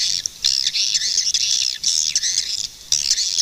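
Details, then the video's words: Swiftlets calling in a dense, bright twittering chorus of high chirps, rising and falling in loud bursts with brief pauses between them. "Swiftlet bird sound"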